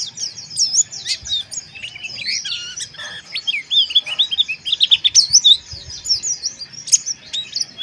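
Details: Loud harsh white-eye chatter for breeding-arousal therapy: fast high chirps, trilled runs and sharp squeaks tumbling together, growing busier toward the middle, background otherwise quiet.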